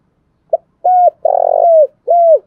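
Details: Decoy spotted dove calling to lure wild doves into answering. A short clipped note comes first, then three low, hoarse coos; the middle coo is the longest and most rasping. The background is quiet.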